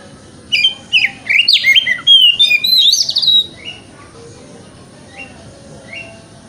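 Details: Oriental magpie-robin in 'wikplong' song, a morning lure to prompt tail opening: a dense two-second stream of varied whistles, sharp chips and buzzy slurs, followed by a few soft, widely spaced upslurred notes.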